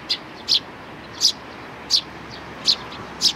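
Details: Sparrow chicks alongside parents on 11 May 2019, single sharp chirps spaced well apart, six notes in just over three seconds, over a steady hiss.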